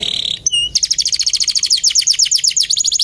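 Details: Male canary, described as gacor (singing constantly), singing a fast, dense high song: a brief buzzy note and a whistled upslur, then rapid repeated chirps about six per second with varying high notes.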